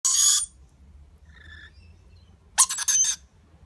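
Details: Lorikeet chick being fed by its parents, giving a harsh, hissing squeal burst, then faint chirps, and a second rasping squeal broken into rapid pulses near the end; low background hum.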